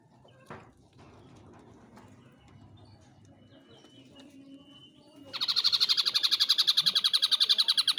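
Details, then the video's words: Ashy drongo in full song, Cililin tutor recording: several seconds of faint background clicks and a thin held note, then a sudden loud, harsh, rasping run of fast pulses, about four per second, to the end. "Srigunting Abu2 Mata Putih gacor"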